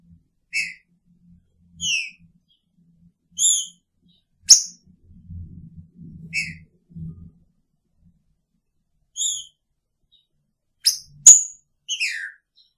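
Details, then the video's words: Green-winged saltator housed with its female, singing spaced whistled notes, some sliding downward, with sharp clicks and a soft low murmur in the middle. "Trinca Ferro com sua fêmea!! Picharro"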